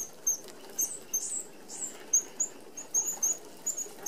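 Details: Flock of Red-browed finches feeding together at an open aviary feeder with small mesh. Short, thin high-pitched seep notes repeat irregularly about once a second over a light rustle of wings.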